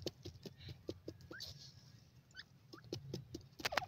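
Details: Baby Sindhi teetar partridges in their natural environment in Punjab, Pakistan, exploring, playing with siblings and eating; short rising peeps scattered through the clip among soft tapping and pecking clicks, ending in a louder high squeak.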